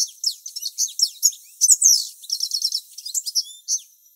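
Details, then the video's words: Male European goldfinch in the morning, singing some tens of metres from his incubating mate: a fast, high, jumbled twitter of tinkling and buzzy notes, with a short run of rapidly repeated chips near the end. "Pendant que la femelle couve ,le mâle chante à quelques dizaines de mètres ."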